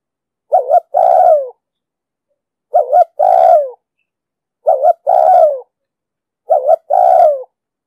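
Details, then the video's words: Spotted dove cooing in the 'đồng sấm' voice style, a recording used to train captive doves and lure wild ones to traps: four clean low phrases, each a short doubled note then a longer falling coo, repeated about every two seconds, no other sounds. "Tiếng chim cu gáy giọng đồng sấm,thúc gù bài bản,đi bẫy, tập bổi,kích mồi,dụ bổi cực sát"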